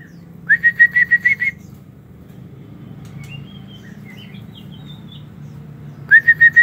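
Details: White-rumped shama in an aviary delivers seven rapid ringing whistled notes, then quiet high twittering warbles, before starting another fast series of loud whistles.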